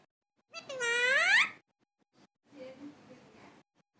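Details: A talking parrot saying a word, one drawn-out rising nasal syllable lasting about a second, followed by a softer muffled murmur.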